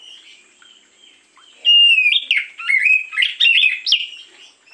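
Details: Oriental magpie-robin singing in the morning as a lure: after a quiet start, a loud varied sequence of clear whistles, quick up-slurs and brief harsh notes lasting about three seconds.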